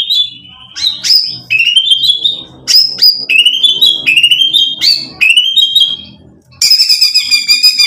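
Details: White-rumped shama, provoking song to excite: repeated high sweeping whistles slurring down then up, with faint low background hum, ending in a bright high sustained phrase.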